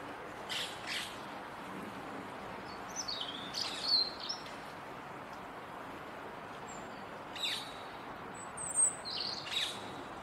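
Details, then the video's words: A robin sings from a bare twig in the Rose Garden on a wet day, with high warbled phrases spaced several seconds apart, some short sharp clicks, and steady background hiss. "Robin singing in the Rose Garden"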